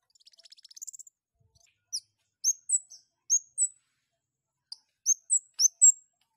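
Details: Long-tailed shrike in breeding condition, singing vigorously: a brief fast buzzy stutter, then spaced high chirps with a down-flick, some paired and some in threes, across several seconds. Clean background.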